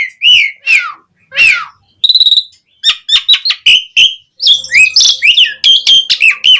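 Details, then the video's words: Asian pied starling delivering a lively, fill-packed song meant to coax starlings into singing. Loud falling whistles open, then a quick rattling trill, clipped notes and a dense jumble of buzzy, wheezy phrases. "Suara Jalak Suren Gacor Auto Nyaut Langsung Efektif buat Pancingan Burung Jalak"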